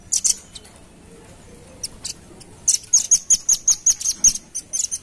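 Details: Velvet-fronted nuthatch lure call used to attract birds: rapid series of high, sharp chips repeated about three times per second, with scattered single ticks before the main run.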